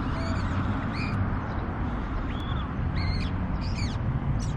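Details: Male bull-headed shrike singing in early spring: a run of short, varied, harmonic-rich notes, some rising or arched and some buzzy, scattered across several seconds over a steady low rumble of background noise.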